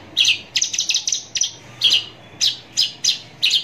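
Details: Javan bush lark singing at close range: a rapid cluster of high, sharp notes, then separate bright chirps spaced about half a second apart.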